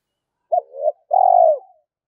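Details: Spotted dove's call for luring a flock of wild doves when trapping, in two parts: a clipped note with an undulating coo, then a longer smooth coo that slowly falls and trails away.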